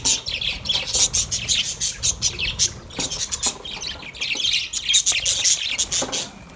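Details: Several caged budgerigars, happy and at play, produce a constant, bright, high-pitched chatter of rapid chirps and harsh little squawks.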